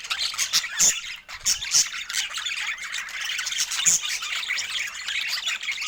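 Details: Several budgerigars voice happy chirps while enjoying fresh food indoors under Scandinavian daylight; busy high warbling with sharp squawk bursts roughly every second standing out above the steady chatter.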